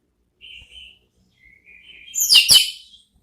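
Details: Orange-headed thrush ngeplong therapy song meant to provoke a reply: soft, thin whistled notes that swell into a short, loud double phrase of rich, ringing tones, then fade.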